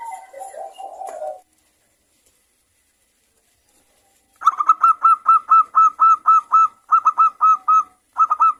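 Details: Local zebra dove (perkutut) singing in the morning: after a soft low murmur and a pause, a lively run of clipped, bright cooing notes repeats about twice a second in quick clusters.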